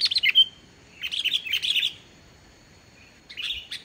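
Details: Sooty-headed bulbul singing briskly, without borrowed songs, as bait for unresponsive bulbuls. Three separate bursts of chattering, whistled notes are divided by short silences.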